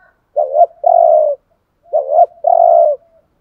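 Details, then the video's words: Spotted dove used as a decoy gives two matching phrases, each a wavering rising note followed by a long smooth coo, separated by a pause of about half a second. "chim cu mồi thúc gù bài bản nhất hiện nay"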